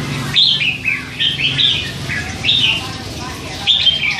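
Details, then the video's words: Young hand-fed red-whiskered bulbul aged three months, a cage bird that babbles constantly, delivers loose strings of bright slurred notes in small groups, with pauses between them and a low hum behind. "นกกรงหัวจุก ลูกป้อน 3 เดือน ปากเบาสุดๆ"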